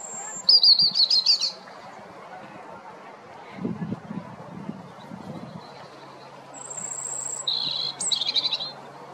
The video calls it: Robin brightening the afternoon with it’s song.